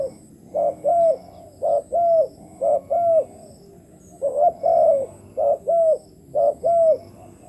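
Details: Spotted dove serving as a decoy for wild doves, cooing in a steady run of paired notes, short then longer and arched, phrases repeating about every second with low background hum.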